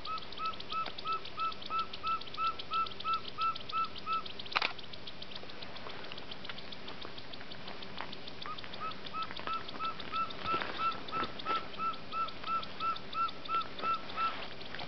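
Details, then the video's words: Andean Pygmy-Owl responding to playback in the Eastern Andes above Bogota, Colombia, Nov/Dec 2009. It gives a long, steady series of clear, mellow hoots, about three per second, in two runs separated by a brief pause and a click. "Andean Pygmy-Owl - Glaucidium jardinii"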